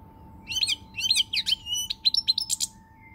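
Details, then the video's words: European goldfinch on 20 March 2020 delivering a rapid twittering phrase of liquid chirps and buzzy trills, with uneven rhythm and a brief thin whistle at the end, over a faint hum. "Pirlitan Chardonneret, El jilguero, bird, cardellino pezzato GOLDFINCH SONG"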